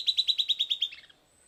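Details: End of a silvered antbird (Sclateria naevia) song after playback: eight loud, evenly spaced whistled notes followed by a few fainter, lower, descending notes fading out.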